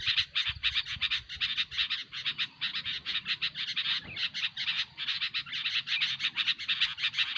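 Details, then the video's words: Sooty-headed bulbul racket for luring birds: a relentless string of rasping, evenly pulsed bursts, almost without pause, over a quiet low-frequency background. "SUARA BURUNG KUTILANG RIBUT SANGAT COCOK UNTUK MASTERAN MIKAT BURUNG KUTILANG"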